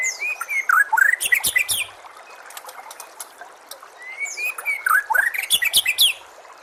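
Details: White-rumped shama master song in two matching phrases: a level whistle leading into rapid, rising, sharp high notes and loud ringing bursts, separated by a quiet gap of soft chips.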